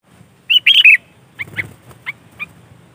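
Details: Sooty-headed bulbul song used to lure other bulbuls: one loud, quick phrase of bubbly whistled notes, followed by three or four fainter short chirps spaced about half a second apart over quiet low background noise.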